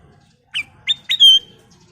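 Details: Sooty-headed bulbul giving its full song, used as a lure for other birds: two short bright chirps, then a clear whistled note sliding into a longer level whistle, in a quiet setting.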